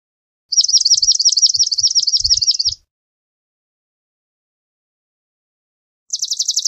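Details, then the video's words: Swamp sparrow delivering a loud, rapid trill of crisp repeated notes for about two seconds, with soft low thumps underneath, then after a pause a second trill begins. "Swamp Sparrow Song! Swamp Sparrow Call! Sound, Chirp"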